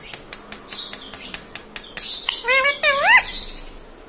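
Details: Pet parrot that says mummy and papa: scattered soft clicks and hissy bursts, then two wavering, rising harmonic notes in quick succession near the end.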